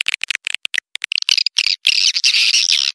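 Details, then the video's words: Swiftlet call for luring birds: rapid ticking clicks that speed up, then run into continuous harsh buzzy chatter over the final second. "suara burung walet panggil burung walet"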